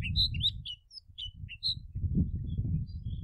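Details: Snow bunting (Plectrophenax nivalis) song: a brief, fast, sweet warble of high twittering notes that fades after under two seconds, over a steady low wind rumble.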